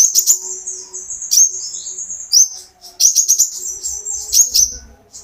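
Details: Olive-backed sunbird, a captive bird used to coax others into song, gives thin high-pitched whistled streaks and clustered sharp chirps in bursts with brief gaps, plus a faint low rumble near the end.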